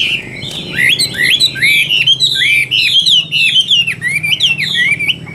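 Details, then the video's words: Chinese hwamei of the Tam Hoàng type in loud, structured song. It gives fast, jerky whistled phrases with sharp upward flicks and falling slurs, almost unbroken throughout. "Họa Mi Tam Hoàng Miệng Mỏ Như Máy Khâu, Điện Đóm Căng Hót Hét Bài Bản"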